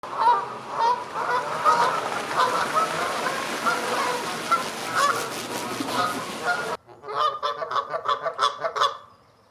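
Canada geese honk steadily, many loud nasal calls overlapping in a busy chorus, then a brief cut to a quicker run of honks.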